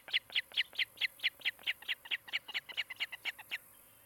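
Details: Osprey at a nest near Charlo, Montana, one of a breeding pair, captured by a nest camera on 16 July 2018: a fast, steady run of about sixteen sharp whistled chirps, roughly four per second, ending abruptly before a quiet background.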